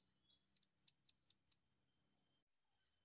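A blue-crowned hanging parrot gives a quick series of five thin, sharp, very high notes, then one more, over a steady high insect whine.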